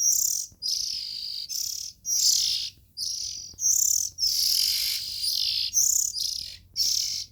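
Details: Oriental magpie-robin chick repeatedly uttering scratchy, hissing high calls, around ten bursts in seven seconds, some run together into longer rasps.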